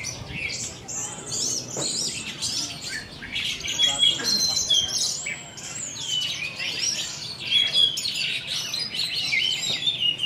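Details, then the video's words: A new four-month-old orange-headed thrush at a bird-singing contest sings a rapid, nonstop stream of high, varied whistles and chattering phrases, with faint voices in the background. "Anis Merah Anjarmoro Telernya Seperti Ini!!"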